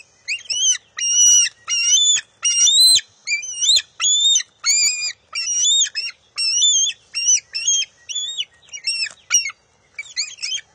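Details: Nestling bald eagle competing with its mother for a fish on June 23, 2021: a rapid, restless series of roughly seventeen shrill, bending whines, uneven in length, mixed with scattered clicks and scrapes from the nest.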